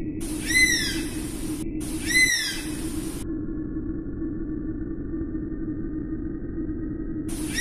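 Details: Two falling whistled calls of an Oriental honey buzzard in quick succession, each bowed and overtone-laden, followed by a long quiet stretch with only a faint low hum.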